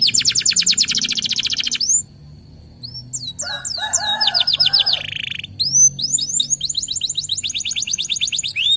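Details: Local canary (kenari lokal) in lively pancingan lure song: fast high buzzy trills, then a brief pause and a lower, rougher burst near the middle, followed by rows of quick upward-sweeping whistled notes and rapid trills.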